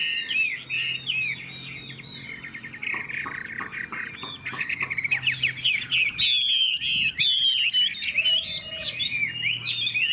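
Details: Chinese hwamei with a fine, powerful singing voice pours out loud, fast whistled song: warbled runs and sweeping slurs, sharp notes and trills, a steady low hum underneath.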